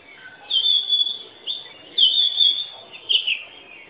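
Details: Loud, clear song of an Oriental magpie-robin: long sustained whistles that waver slightly, given in three phrases about one and a half seconds apart, with a faint lower note between them.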